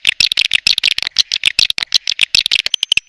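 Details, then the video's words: Swiftlet lure, SP BJA type, to draw swiftlets in. Clicky, rattling chirps come in a quick irregular series, with a thin rising whistle near the end. "SUARA WALET PANGGIL"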